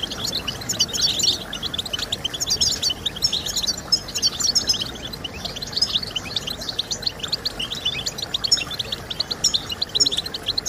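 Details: European goldfinch singing, played to encourage birds to sing: a continuous, busy stream of high twittered notes and tinkling trills that barely pauses, over a steady soft background hiss.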